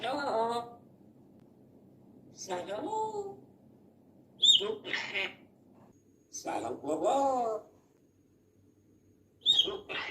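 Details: Grey parrot, an African grey, talking: several short wavering voice-like phrases with gaps between, mixed with higher squeaky whistles near the end.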